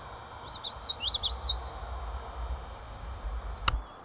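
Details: Male Common Yellowthroat singing at John Brown Farm in the Adirondacks on 26 July 2019, in tangled wetland vegetation: a quick run of high, looping wichety-wichety notes lasting about a second, over steady low background rumble and a sharp click.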